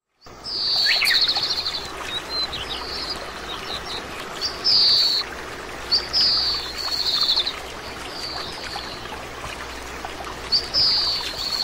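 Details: Oriental greenfinch, a common resident bird of East Asia, giving short bright twittering call notes in spaced bursts, some slightly buzzy, over a steady background hiss like running water.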